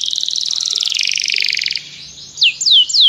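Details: Canary calling a companion to sing during song training: a dense rapid trill sliding slightly downward for nearly two seconds, then three loud falling whistled swoops.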